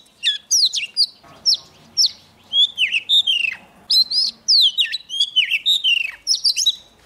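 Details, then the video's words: Oriental magpie-robin, a young bird, in full song when a wild rival approaches. Loud, clear whistles and slurred downward notes mixed with sharp chirps come in rapid bursts, with faint low rustling behind. "Choè than non lên hót cực sung khi bổi đến gần"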